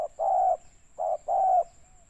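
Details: Spotted dove calling in the 'banggo sayur' style, used for bird trapping in Pekanbaru, Indonesia: two rounded cooing phrases, a short hoot leading into a longer even coo, then a faint trailing note.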